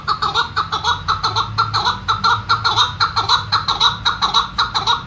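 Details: Bird called Quebec, said to live in countries such as Iran and Pakistan, singing indoors: a fast run of harsh, chattering notes repeated about twice a second, each note with a rough, laughing quality.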